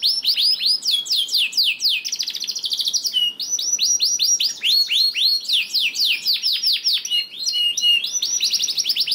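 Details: Canary song used as a lure for quiet canaries: rapid repeated downward chirps, buzzy fast rattles and short steady whistles alternating in a long unbroken, loud performance.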